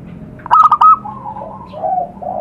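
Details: Wild zebra dove recorded in nature in Indonesia for luring: a loud, fast stuttering coo phrase followed by gentle, lower, drawn-out cooing notes.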